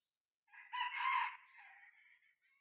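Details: Muffled, distant junglefowl crow heard while a six-month-old decoy cockerel is tried out for luring wild junglefowl, one hoarse phrase peaking in the middle and trailing off into faint noise.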